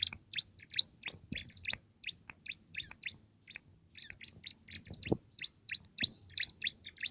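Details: Canary-style song of a bar-winged prinia, kept as a tutor for contest songbirds: a steady run of sharp, high chirping notes, closely spaced, over faint low hum.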